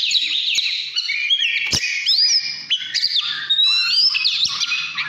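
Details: Fired-up 'căn lửa' song of an Oriental magpie-robin from 2017: rich, fast whistles sweeping up and down, crisp trills and a steep rising slur, over a faint low hum.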